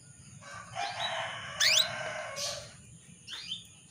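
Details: Female canary calling to a male, used as a lure to get male canaries singing: one sharp, loud, rising sweep among lower, buzzy, stacked notes, with a softer upward call near the end and a steady high hum behind.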